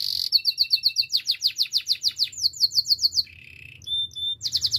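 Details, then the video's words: Training song from an active singing canary: rapid rhythmic downslurred chirps repeated in tours, a brief lower whistled roll, then a pure held tone and another fast chirping series. "Active canary singing makes your canary sound"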